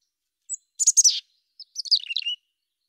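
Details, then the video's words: Mountain chickadee chirps: a single thin note, then a rapid group of three or four high, buzzy notes. After a short pause comes a longer tumbling series of chirps that slides downward. Quiet surroundings. "Mountain Chickadee Chirps"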